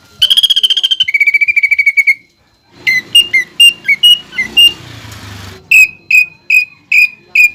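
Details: Caged greater green leafbird (cucak ijo) in full song, its song filled with pelatuk bawang imitation: a rapid trilled rattle, then sharp high whistled notes, a brief noisy burst, and evenly spaced loud piercing whistles.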